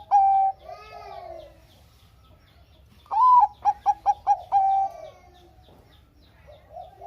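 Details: Bangkok-type zebra dove used as a singing lure for reluctant doves. A long coo ends one phrase and soft coos follow. Then a full phrase comes: a rising note, a burst of short notes and a sustained coo, before a faint coo.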